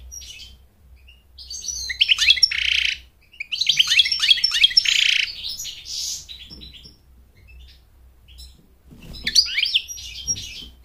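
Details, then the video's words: American goldfinch warbling to woo a mate and train chicks in singing: three long bouts of rapid canary-like twitters mixed with harsh buzzy notes, separated by quieter gaps of a second or more. "Goldfinch sings to mate Goldfinch sings to train chicks to sing"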